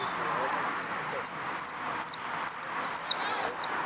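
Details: Competition canary singing a steady series of high, sharp double chirps, each pair dropping quickly in pitch, repeated around every half second without pause, against low background hum.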